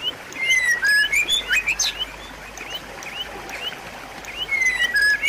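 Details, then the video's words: White-rumped shama song intended to get a silent bird singing again: long descending whistles and quick up-slurred notes, a quieter spell of short chirps, then a final falling whistle. "pancingan dan masteran murai batu macet bunyi"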